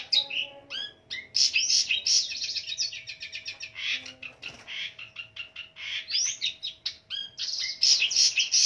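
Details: Long-tailed shrike, a fighter bird, in full song packed with varied mimicry: a dense, loud stream of high chattering notes, sharp whistles and rising slurs, with quick trills and harsh bursts running nonstop throughout.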